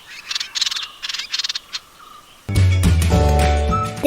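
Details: Dark-fronted Babbler (Dumetia atriceps) giving dry, mechanical-sounding rattling ticks in quick bursts for under two seconds, then loud music with a low droning tone cuts in.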